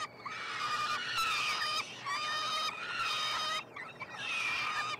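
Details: Peregrine falcon chicks at the nest on the University of Montreal campus, Quebec, 21 June 2022, begging during feeding; four long, hoarse screams with a slight downward bend, separated by short gaps.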